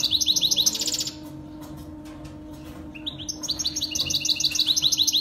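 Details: Saira canary song used to train young canaries to sing: rapid high trilled phrases, a bright buzzy burst near one second, then a pause and renewed fast repeated trills, with a steady low hum underneath.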